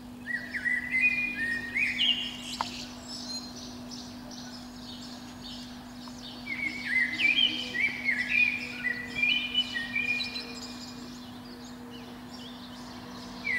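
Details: Morning song of a Eurasian blackbird high in a pine beneath a window in spring, around five to seven o'clock: repeated bursts of warbling flute-like notes and high squeaky flourishes, with a lull midway and a low hum throughout.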